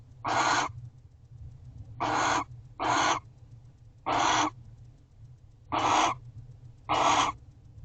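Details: Barn owls in the wild guarding the house at owl box C, early morning of 12/1/23. Six loud, breathy screeches about half a second each, spaced one to two seconds apart over a low background hum.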